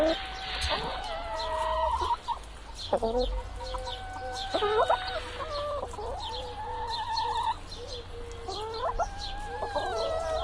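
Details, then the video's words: Chickens calling in a busy flock scene: repeated clucks and drawn-out squawking notes overlap through the recording, with several birds heard at once against steady low background noise. "Chicken Sound, Hen Sound"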